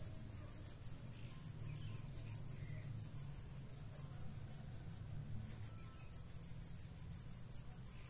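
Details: Nestlings of a Blue-black grassquit pair being fed by both parents give steady trains of very high, thin squeaks, several per second, with a brief pause midway, over a low rumbling background.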